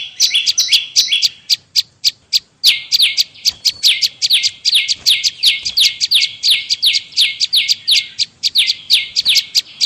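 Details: Bar-winged prinia calling for bird luring, with a brief pause, then a long, rapid series of notes that now sit lower, each sliding down, with loud ticking chips throughout.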